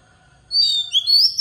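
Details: Oriental magpie-robin decoy singer in forest style, used to train young birds: a short, loud phrase of high, pure whistles rising in pitch, with a faint steady hum behind.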